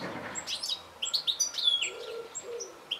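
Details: Goldfinch giving rapid, thin twittering notes, sharp chirps tumbling together with a few longer whistled tones, plus a faint low murmur in the background.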